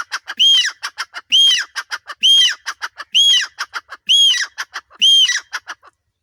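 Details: A male grey francolin in Punjab gives loud, shrill, ringing phrases about once a second, each a bright high note within a string of rapid clicky syllables.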